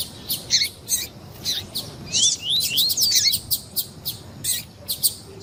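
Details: Double-collared seedeater song with female calls, meant to excite the male: a busy mix of sharp chips and squeaky notes with a few rising whistled slurs in the middle.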